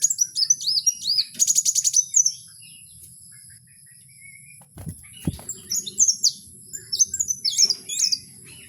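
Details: Wild kowul song, bright high whistled phrases with quick trills, a rapid ticking burst near the start, a pause with two dull knocks, then renewed looping whistles.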